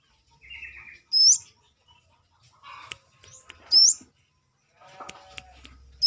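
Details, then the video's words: Outside its cage, a Brown-throated sunbird, known locally as Manggar, gives three shrill upward-sweeping notes spread over six seconds, mixed with scattered clicks, knocks and a short lower buzzy sound. "KORLAP (Kolibri kelapa)Manggar gacor luar sangkar"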